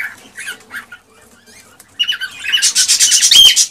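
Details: Cockatiel song used to encourage mating and breeding. It opens with a few soft whistled notes, then a louder run of harsh, buzzy, rapidly repeated chattering notes with a clear whistle near the end.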